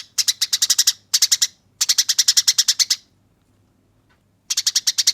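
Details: Harsh, clear fighting chatter from a Eurasian tree sparrow, given in four quick bursts of rapid metallic chips, each around a second long, with a silent pause before the last.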